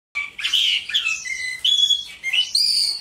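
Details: Mongolian lark, called one of China's four famous songbirds, singing a varied run of clear whistled notes: bright slurred phrases, a steady mid-pitched tone, then a rising high note, with short pauses between phrases.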